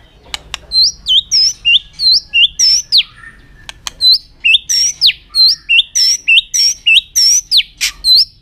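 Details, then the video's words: White-rumped shama singing a very long string with tail-flicking attitude to stimulate other birds: a rapid, steady series of very high, bright, curving whistled notes, about three per second, with a few sharp clicks. "chòe lửa kéo dây siêu dài,đánh đuôi thái độ kích chim hiệu quả"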